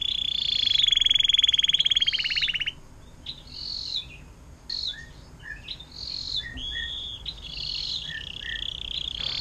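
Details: Canary performing 'air mancuran panjang' song used as a master recording for songbirds; nearly three seconds of loud rapid rolling trill, followed by mixed high chirps and short whistled phrases.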